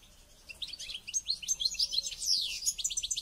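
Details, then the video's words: A pet European goldfinch in training ahead of a local goldfinch championship sings a rapid, unbroken stream of high twittering notes, mixing liquid chirps, quick trills and sharp buzzy slurs, rising in intensity through the second half. "Goldfinch trainning"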